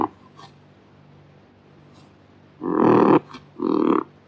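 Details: Kakapo giving two harsh, hoarse squawks close together near the end, after a quiet stretch with faint low hum in the background.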